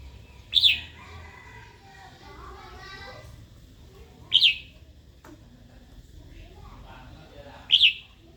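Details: A female red-whiskered bulbul gives calls meant to excite a wild-caught male into song and combat. A single sharp, falling whistled note repeats roughly every three and a half seconds against quiet background noise.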